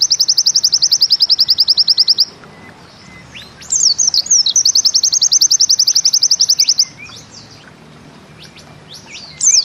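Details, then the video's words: Repeated 'nembak ziperrr' trills from a pleci (white-eye), bustomi style: a rapid high trill, sharp upslurred twitters, a second long trill, then scattered chirps after a pause. "Bustomi NEmbak Ziperrr Mudah DI Tiru"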